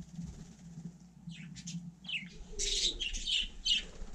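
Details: Budgerigar out on snow in frosty weather: scratchy, buzzy chirps in irregular bursts, quiet at first, then louder, harsh chatter in the second half, over a low steady hum.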